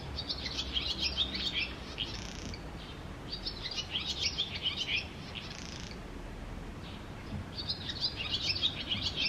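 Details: Twittering barn swallow along the Tama River: three bursts of fast, high warbled chirps with short buzzy notes between them, separated by brief pauses, over a low outdoor hum.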